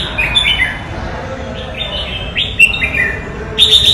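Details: Red-whiskered bulbul singing a few scattered whistled notes, some slurred downward, others rising, with a bright chattering burst at the end over a faint rumbling background.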